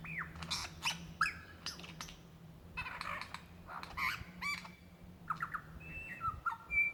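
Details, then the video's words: Calling for a mate in February 2016 in Victoria's Dandenong Ranges National Park, a lyrebird gives scattered harsh clicks and rattles, then clear whistles and a high rising note near the end, with a faint low hum throughout. "sounds of a Lyrebird calling for his mate"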